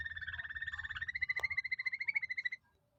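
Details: Canary described as an original foreign bird, holding a steady whistled note with a fast, even pulsed roll of about thirteen beats a second for some two and a half seconds, then stopping abruptly, with one brief click midway.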